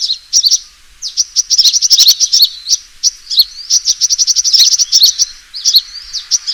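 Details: Lure recording of a sunbird's fighting call, a dense run of shrill, rapid chirps and trilled notes, pausing briefly near the start, then pouring out in fast, uneven clusters.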